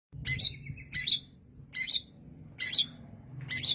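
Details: Long-tailed shrike singing: five sharp, high chirping bursts, each with a brief buzzy tail, spaced under a second apart over a faint low hum.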